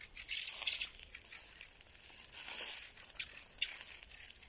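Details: Soft crinkling and rustling noises, with no clear animal calls.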